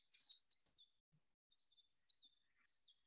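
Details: An American Tree Sparrow, found in Iowa only in winter and usually with others of its kind, gives its soft, unique call. These are high, jingling twitters in four quick bursts over three seconds, the first loudest, with nothing else heard.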